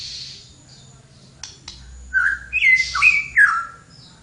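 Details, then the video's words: Flowerpecker in lively song: a quick run of four or five bright, sliding whistled notes in the second half, preceded by a soft high hiss and two faint clicks. "suara burung tledekan gacor"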